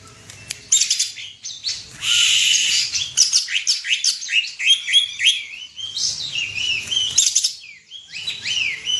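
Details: Greater green leafbird, a national contest champion, singing rapid high chattering phrases with swooping slurred whistles, several falling notes in a row, and brief pauses between bursts.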